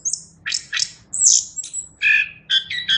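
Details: Energetic chestnut-capped thrush song of separate high scratchy notes and a loud piercing whistle, followed by clear ringing tones in a lower register and rapid triple-noted phrases.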